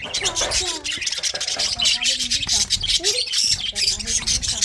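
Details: Budgerigars in a breeding colony give harsh squawks over a steady bed of high, scratchy chirping, with short rising and falling tonal notes mixed in.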